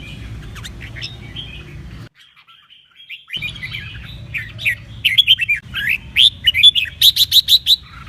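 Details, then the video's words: Red-whiskered bulbul song used for training birds to sing and compete: a duet of short whistled, warbling phrases around the upper-middle range, growing louder and more rapid toward the end with a run of sharp repeated notes; low background hum. "CHÀO MÀO | Hót giọng đôi cực hay - luyện giọng kích chim hót đấu"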